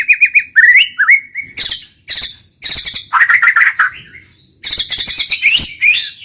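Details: White-rumped shama singing a varied medley of quick whistles, warbled phrases and loud harsh rattling bursts, delivered in irregular rapid spurts with brief pauses.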